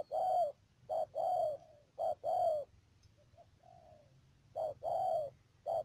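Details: Decoy spotted dove for trapping, Đầm Dơi, Cà Mau, Vietnam, March 2019: loud paired coos, short then long and falling, a brief softer phrase in a pause, then the loud coos resume.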